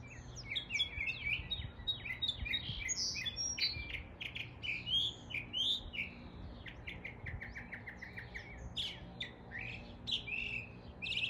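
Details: Northern mockingbird imitating neighborhood birds of East Tennessee in a long, continuous medley of varied high chirps, sharp notes and rapid repeated phrases that shift style every second or two.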